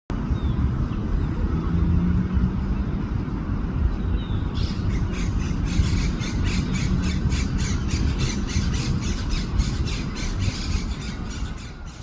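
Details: Crested caracara, one of a pair resting at their nests in an araucaria in a park, gives a harsh, rapid rattle of dry, grating notes starting a few seconds in, over a steady low rumble of wind or traffic.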